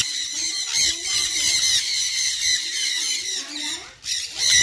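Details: Sun conure giving harsh, high screeching calls almost without pause, a dense rasping band held over several seconds with a short dip near the end; faint background noise.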